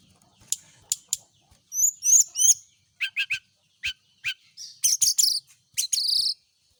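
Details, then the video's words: Brown-chested jungle flycatcher in the morning dew, exposed to make it sing readily: sharp clicks and ticks, quick high slurred notes, short falling chirps and buzzy high bursts at an irregular pace. "pengembunan SRDC di pagi hari biar rajin bunyi"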